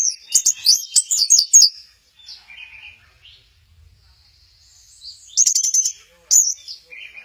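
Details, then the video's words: Orange-headed thrush at Kesamben, swaying in a 'goyang inul' display, gives a burst of fast high chirping notes, falls into softer quiet warbles, then adds two more sharp high bursts near the end. "Burung Anis merah, lagi goyang inul"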